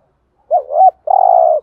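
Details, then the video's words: A decoy spotted dove utters a two-humped wavering coo, a short pause, then a long buzzy sustained coo, meant to draw in wild doves. "tiếng chim cu gáy mồi chuẩn kích bổi hiệu quả"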